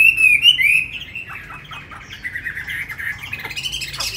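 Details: Chinese hwamei kept tame in a cage opens with bright, sliding whistles, then drops to softer, scratchy warbling and short notes.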